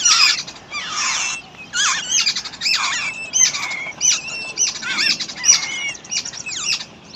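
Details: Parent babbler feeding and protecting its chicks in the wild; rapid series of harsh, rasping squawks mixed with thin high whistles, repeated in dense bursts through the stretch with brief softer gaps.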